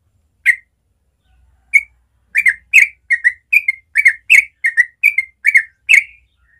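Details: A yellow-vented bulbul's natural morning song in 'ropel' style opens with scattered chirps, then builds into a fast, steady string of bright, bubbly slurred notes. No background noise.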